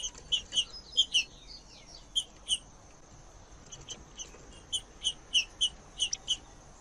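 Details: Green-winged saltator, sounding as it sings to warm up a cold bird: sharp, high, clipped notes in short clusters, repeated irregularly across the recording against a quiet background.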